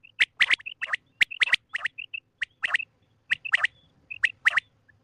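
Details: Quail calling in the morning: crisp, clipped notes in quick doublets and triplets, sharp clicks between them, clean quiet background.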